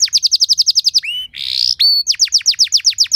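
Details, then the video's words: Canary delivering a fancy 'cengkok mewah' training song for stirring other canaries to sing; a steady run of fast falling whistles, a rising slur and harsh buzzy note in the middle, then the whistled series resumes. "Materan Burung Kenari Lagu Istimewa! Cengkok Mewah Bikin Kenari lain Ikut Terpancing jadi Gacor"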